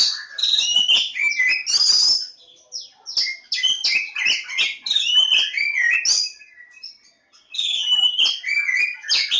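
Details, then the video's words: Oriental magpie-robin (kacer Jawa) at Lebakgowah in full song: rapid chattering bursts of whistles and scratchy notes in several long phrases separated by short pauses. "Kacer Jawa lebakgowah"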